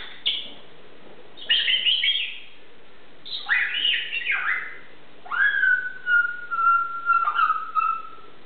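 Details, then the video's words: Grey parrot chattering away indoors: a series of whistled phrases with rising and falling sweeps, ending in a long level whistle that breaks into short notes. "chatting away"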